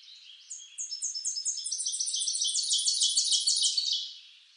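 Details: Tennessee warbler song from eastern North America: high, clipped notes repeated in a steady run that quickens into doubled chips, then breaks into a fast, loud, ringing trill before stopping, over a faint background hiss.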